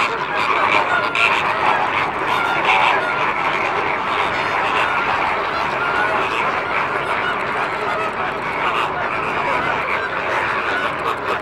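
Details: Wild greater flamingos of Italian, Spanish and Camargue origin at the Sigean African reserve, France: a dense, unbroken chorus of many honking, goose-like calls from a large flock, steady throughout.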